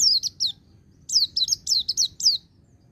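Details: Sharp, high white-eye whistles sliding downward, three quick notes then after a brief pause a fast sequence of about eight, in the ngecir sambung ngalas style used to provoke caged birds into song; faint low rumble underneath.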